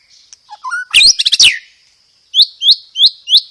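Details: White-rumped shama song with sparrow-fight imitations and mostly rapid 'roll tembak' rolls. Loud, clear bird with sweeping downslurred notes, a dense burst of sharp chips, a pause, then four rising whistled slurs evenly spaced; steady high whine beneath.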